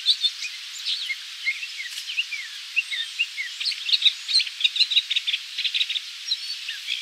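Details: Gray catbird at Magee Marsh Visitor Centre, Ohio, USA, 5 August 2023, giving a steady, jumbled run of squeaky, slurred and mewing notes, high-pitched and varied, with a faint background hiss.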